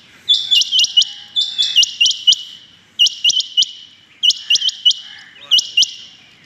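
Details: Loud morning calling by a rain quail, 6.7.21: five bursts of three or four crisp, high, metallic notes, about one burst per second, close and clear.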